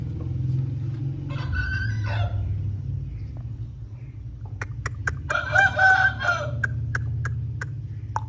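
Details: A pure Lasani Aseel rooster gives two hoarse, drawn-out crows about four seconds apart, over a steady low rumble with scattered sharp clicks.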